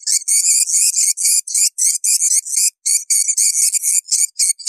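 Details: Calls of edible-nest swiftlets, played for swiftlet farming to bring birds to nesting houses: bursts of shrill, buzzy chirping in quick runs with brief pauses, about four notes per second.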